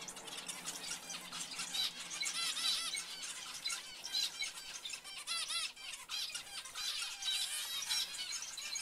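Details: Zebra finches give a dense chorus of nasal, honking calls with stacked overtones, many birds overlapping and repeating rapidly throughout, with high squeaky notes mixed in.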